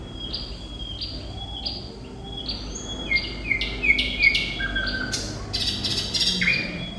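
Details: Lively thrush nightingale song opening with evenly repeated high whistled notes about twice a second, then sharp clicks and a fast, loud rattling burst near the end.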